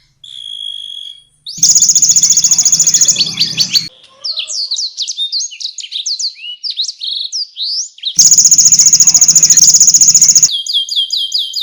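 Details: Canary in full, nonstop song, used as tutor for training champion birds such as magpie robins, with bursts of konin and blackthroat phrases: loud, very fast buzzy trills alternating with varied sweeping whistled chirps and clear held tones.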